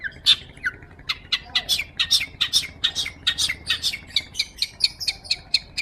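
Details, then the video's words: Long-tailed shrike in lively song, recorded as master audio for training magpie-robins: a steady series of sharp, scratchy high notes, about two per second, with occasional short whistles between them. "PENTET GACOR,,SUARA JERNIH COCOK BUAT MASTERAN BURUNG MURAI BATU"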